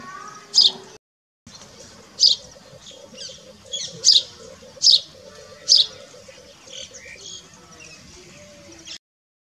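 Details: Rock bush quail in Rajasthan, India, giving sharp, high, squeaky notes, about six spaced irregularly over several seconds, over a faint low hum.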